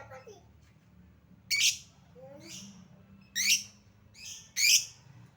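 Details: Lovebird lure sound intended to make quiet lovebirds respond: scattered shrill, scratchy high squawks at irregular intervals with softer faint notes between, over low background hum.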